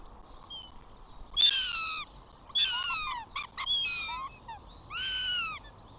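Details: Flamingos on 14 June: five chicks self-feeding, then the father flies in and two bossy chicks kick siblings away. Loud, nasal, harmonic calls come in four bursts, each about half a second, with falling tails and brief clicks between them.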